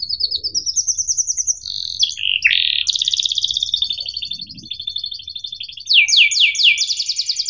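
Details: Canary song for teaching young birds: an accelerating pulsed trill, harsh buzzy notes, a long rolling trill, then sharp descending sweeps, with faint low room noise.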